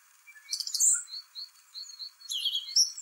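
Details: Song thrush (Turdus philomelos) in spring, singing a harsh high phrase followed by short, repeated whistled notes and a closing scratchy flourish.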